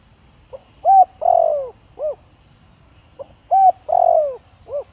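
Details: Spotted dove with a thổ đồng voice style, kept to lure wild doves: two full coo phrases, each a soft grace note, a bright rising coo, a long drawn downslurred coo and a short rounded final note, about 2.7 seconds apart, in quiet.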